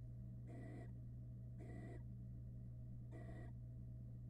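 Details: Hungry barn owl chicks in a Florida nest box begging while the male delivers a rat; three broad, noisy screeching hisses about a second apart, each under half a second, with constant low hum.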